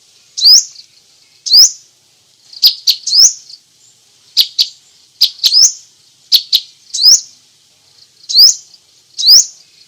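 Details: Thin, sharp upward-flicking squeaks from a Crimson sunbird, given singly or in quick pairs about once a second, in masteran style with varied phrasing and nothing else audible.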